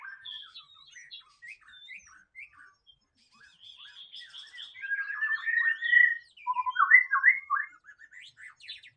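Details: White-rumped shama singing in the wild: a varied run of short whistled and chirping phrases, quiet at first, then louder rich slurred notes and rapid repeated phrases toward the end, with no other clear sounds.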